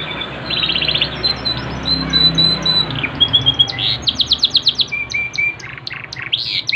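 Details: Yorkshire canary in full lively song, high-pitched fast trills and rolled phrases alternating with clear whistled notes and bursts of rapidly repeated chirps, delivered almost continuously.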